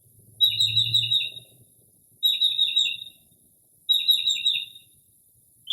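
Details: Northern mockingbird singing late at night in early spring outside a home, mimicking various birds: a chattering high phrase repeated three times about every 1.7 seconds, with a brief low rumble early on in a quiet setting.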